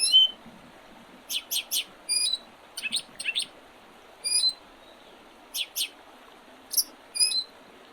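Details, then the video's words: Early spring birdsong on the Oredezh River, Leningrad Oblast, Russia, recorded 8 April 2023: bursts of high rapid chirps in groups of two or three, interspersed with thin whistled notes, over a steady soft hiss. "Весеннее пение птиц"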